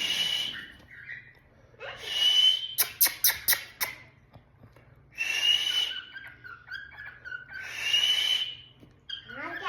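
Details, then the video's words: Pet cockatiel calling indoors: three harsh, buzzy screeching bursts about three seconds apart, each with a bright ringing upper tone, separated by a quick run of sharp clicks and softer chirps. "Sweet sound of my cockatiel"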